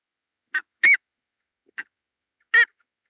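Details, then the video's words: Buff-necked ibis uttering loud, rasping honks: a short note then a longer harsh one, followed by another short note and a final strong honk, in quiet surroundings. "Buff-necked Ibis: Beautiful Footages and Their Unique Calls"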